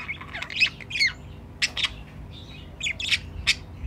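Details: Budgies kept at home call near their nest box: twittering, slightly warbled chirps and short squawks in clusters, with a brief lull midway.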